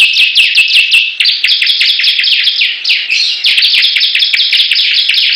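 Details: Rival Bar-winged prinias sing loudly in competition: quick, high, clipped notes repeated in rapid, rattling series, phrases overlapping almost without a gap across the whole stretch.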